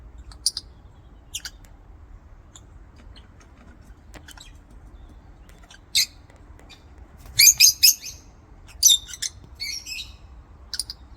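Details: Lovebirds in an aviary giving sharp, high chirps and squawks, scattered singly at first, then a burst of three rapid harsh notes around the middle and a few more short squeaky calls, over a faint low background hum.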